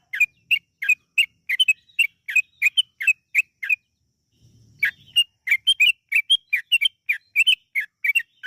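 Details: Yellow-vented bulbul song used as a lure to make other birds sing long and busily: short, liquid, bubbly notes in a steady chattering run, broken by a brief pause with a faint low rumble before the notes resume.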